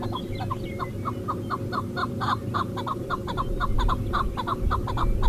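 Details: Chukar partridge (Alectoris chukar) gives a fast series of clucking chuck notes, about four a second, over a steady low rumble of wind or background noise.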